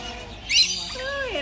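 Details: A rainbow lorikeet at an exotic bird park gives one brief, harsh, rising screech, followed by lower spoken-sounding words in Spanish.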